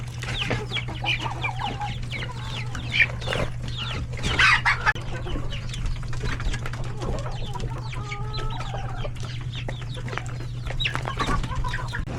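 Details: Lunchtime in a chicken coop full of roosters and chicks: constant high chick peeping, a loud burst of squawking around four seconds, then a few drawn-out, evenly pitched calls near eight seconds, with pecking taps and a low steady hum.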